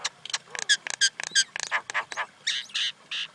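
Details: Common Indian myna giving a rapid, harsh chatter of broad rasping bursts, some with ringing overtones, run together unevenly over about three seconds.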